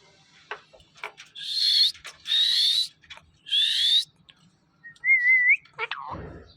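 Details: Green parrot vocalizing indoors: three harsh, buzzy, speech-like bursts about half a second each, then a short wavering whistle and a falling squawk at the end; a low hum runs underneath.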